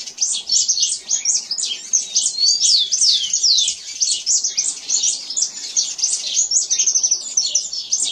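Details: Canary singing in nature: a fast, unbroken high warble of twittering trills and quick sweeping whistles, packed tightly for the whole stretch with no pauses.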